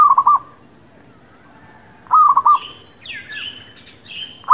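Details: Local zebra dove lure song for trapping and new birds: staccato bursts of four rapid coos, with sharp higher chirps and a downslurred whistle from other birds between the phrases.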